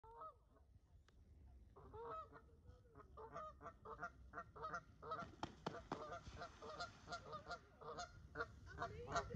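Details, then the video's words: Mute swan pair greeting as the cob flies back from the nest to his mate: hoarse, nasal honks and snorts, several a second and overlapping, growing busier, over a low rumble. "Mute Swan (Cob) comes back to greet his Wife"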